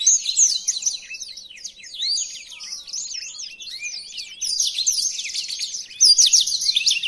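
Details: Blackthroat song for tutoring other birds, one of five song variations: a dense, high, jumbled warble of quick slurred and trilled notes with buzzy bursts, running continuously.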